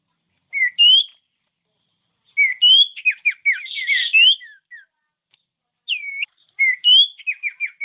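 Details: Common iora song meant to spur other ioras into singing: upslurred whistles followed by quick runs of falling chirps, with a looping note and another descending chirp series near the end.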